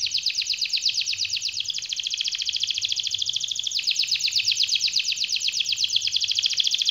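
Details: Canary long continuous rolling song: a dense high trill of rapid pulsed notes sustained throughout, with small changes in texture.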